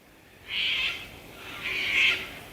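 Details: Sulphur-crested cockatoo giving two harsh, grating screeches about a second apart, the second slightly longer and louder, against a quiet background.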